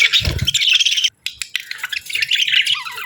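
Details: Happy budgies warble in a steady stream of scratchy, high twittering notes, broken by one short silence, then resuming with rapid chirps and chatter.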